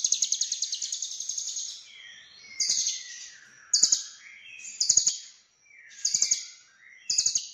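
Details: Lovebird at Cililin singing in the konslet full isian style: high, rapid buzzy chattering trills, a long opening burst of nearly two seconds, then shorter bursts roughly every second, with clicks and soft lower notes between.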